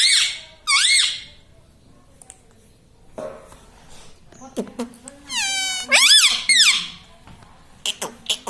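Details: Talking parrot kept as a pet, imitating mummy papa: two short harmonic arched calls, a quiet stretch with faint human voice, then a rising, rippling phrase and a loud bent call.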